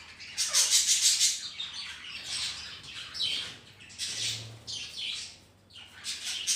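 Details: Home colony of healthy budgies housed with ring-necked parrots: a lively burst of high twittering notes, then gravelly chirps and scratchy warbles in uneven clusters, dropping quiet briefly before another flurry.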